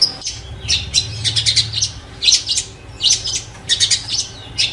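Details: Cendet, the long-tailed shrike, giving harsh, scratchy chattering bursts in clusters, high and rasping, separated by short gaps, with a low hum in the first half.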